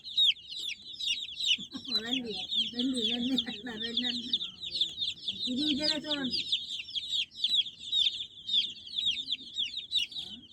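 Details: Baby chicks chirping nonstop in high, thin peeps, while a man talks in Telugu over them for several seconds in the middle of the recording.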